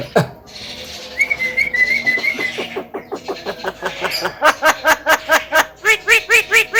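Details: Parrot-like talking male Javan myna: a wavering whistled tone, then a rhythmic string of short harsh notes repeated roughly every third of a second, growing louder.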